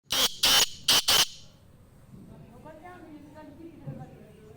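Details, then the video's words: Black francolin, known locally as kala tetar, giving four loud, harsh, grating notes in quick succession over about one second, then falling silent over a faint low background hum. "Tetar !! Kala tetar !! Black francolin"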